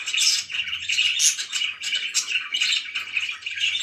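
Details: Pet budgies chatter in squeaky, rasping bursts with sharp whistled chirps, over a faint low hum.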